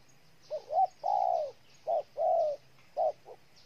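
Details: Mellow cooing of a spotted dove recorded in Ninh Thuận, Vietnam: short clipped coos alternating with drawn-out, gently falling coos over under four seconds, low hum faintly behind.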